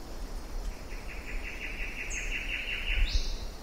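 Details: Western parotia (Parotia sefilata) scolding: a rapid run of about ten harsh, even notes over two seconds, with high thin twitters (Phylloscopus warbler) and tinks from other birds in New Guinea forest, over a low background rumble.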